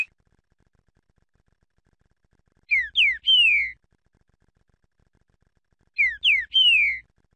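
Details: Green-winged saltator song, two short downslurred whistles then a longer sliding whistled note, the phrase given twice about three seconds apart, clean and loud with no other sounds.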